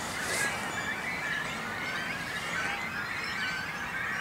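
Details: Great cormorants with young at their nesting island in a small lake near Noord and Zuid Scharwoude, Langedijk, Netherlands: many birds calling at once, shrill squeals and harsh chatter blending into a continuous wall of sound.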